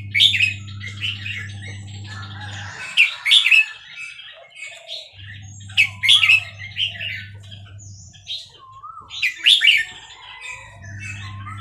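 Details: Burmese red-whiskered bulbul at Dan Singkhon repeating a short, lively, warbling phrase roughly every three seconds, each a cluster of bright slurred notes, with faint rising whistles between and an intermittent low hum.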